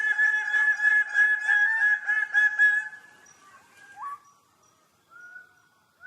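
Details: Bird-of-paradise during its dance: about three seconds of rapid, loud, nasal honking notes, then quieter, drawn-out tones that slide upward, with short gaps between them.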